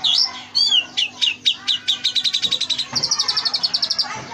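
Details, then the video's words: Oriental magpie-robin in full, varied song rich in mimicked phrases, used for tutoring kept birds: looping whistles, then a fast series of sharp chirps, ending in a rapid high rattling trill. "masteran Kacer full isian mewah"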